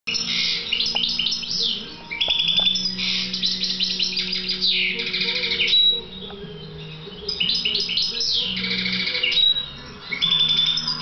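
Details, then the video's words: Trained European goldfinch of the subspecies balcanica singing a long, fast twittering song of bright chirps and buzzy trills, broken by short pauses near six and nine and a half seconds, over a faint low hum. "C c balcanica - skolovan grdelin Goldfinch Jilguero Cardellino"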